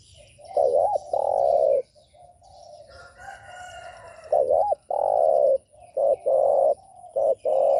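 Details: Spotted dove cooing, played to provoke other doves: loud, low hollow coos in phrases of a short double note followed by a longer sustained coo, repeated several times with brief gaps; faint higher chirps in the background.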